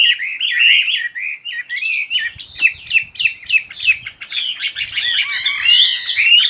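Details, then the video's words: Chattering bird song of rolled warbles building into a fast series of sharp chirps, about two to three per second, ending in a rich twittering, rising and falling medley; soft low knocks in the background. "Chỉ có nghe chim hót là tâm hồn thanh thản nhất."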